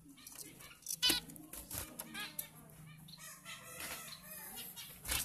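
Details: Captive-bred zebra finches give a busy chorus of short, nasal, trumpet-like beeps in quick succession.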